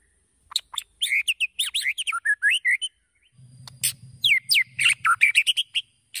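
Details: White-rumped shama lure singing, intended to spur other birds to sing: two phrases of varied rapid chips and twisting whistles, with a low steady hum under the second phrase.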